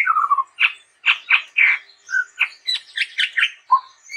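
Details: Chestnut-rumped babbler singing in lively, continuous gacor style: short harsh squawks and chattery bursts repeated about twice a second, with low whistled notes near the start and end, no other sounds.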